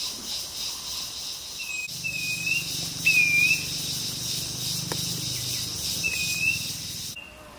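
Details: Streaked wren-babbler (Plain babbler, Turdinus brevicaudatus) at Fraser's Hill, Pahang, Malaysia, June 2023, singing short, clear whistled notes, some slightly slurred, about every second, over steady insect hiss and a low rumble.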